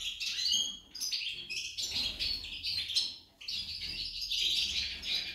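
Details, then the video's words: Female goldfinch's song: bursts of rapid, sparkling twitters and trills separated by short pauses, including a quiet gap just after three seconds. "Impresionante la jilguera parese un colibri"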